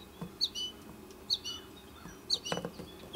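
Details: American goldfinch young in the nesting tree during a feeding visit by the mother; three sharp high chirps about a second apart, followed by a rustle.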